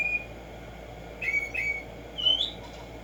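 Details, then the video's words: Black-striped sparrow (Tumba Yegua) singing in the morning: a few clear whistled notes, one long, level and high, then short slurred whistles and a rising upslurred note near the end, over steady low background hiss. "HACER TRINAR a Tumba Yegua Audio para estimular el CANTO a estas bellas aves en la NATURALEZA"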